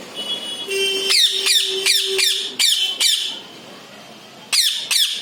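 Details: Parrot's natural voice: a burst of rapid, piercing squawks, a pause, then two more sharp calls, against a steady background hum.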